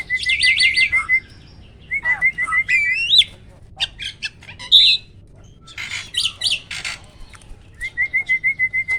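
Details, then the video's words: Hybrid of Asian pied and black-winged starling in captivity giving a tutor-style rolling song: rapid trilled whistles on a steady pitch, rising swoops, scratchy clicks and squawks, ending with a quick evenly spaced series of repeated whistled notes. "BURUNG JALAK HYBIRD || GURU VOKAL SUARA ROLL TEMBAK"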